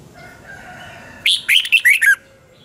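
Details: Double-twist morning song of a Red-whiskered bulbul from 2020, offered as a training voice for other birds: after a quiet start, one lively phrase of five or six fast, whistled, descending notes.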